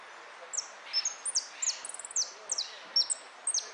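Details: European goldfinch in a singing contest, amarillo de repique: a bright, fast sequence of falling whistled notes with a brief buzzy trill in the middle, loud and close over faint noise.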